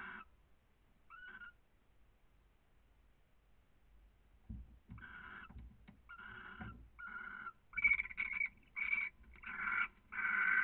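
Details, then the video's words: Barn owl pair caressing in Cabañeros National Park, Spain: harsh, hissing-rasping notes in short bursts, growing louder and more frequent toward the end, with low rustling and handling noises underneath. "Cariños modo lechuza"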